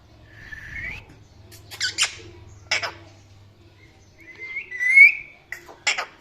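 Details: A parrot gives a rising whistled note, then a few harsh, buzzy squawk bursts. It ends with a bright warbling whistle and a final squawk, over a faint low hum.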